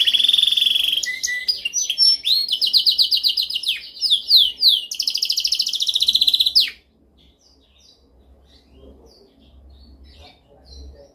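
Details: Dominant canary training song: a bright sustained note, then rapid rolling trills and sweeping chirps at a steady, fast rhythm. The song stops abruptly after about seven seconds, leaving near silence with faint chirps.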